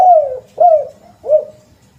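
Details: Three mellow, falling coos from a spotted dove, spaced roughly two-thirds of a second apart, each fading into a soft tail; played as a lure call.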